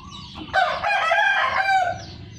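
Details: A captive Red junglefowl from a Sumatran breeding farm gives a single loud crow lasting just over a second. The rasping call is steady with a brief falling tail, over a faint low hum.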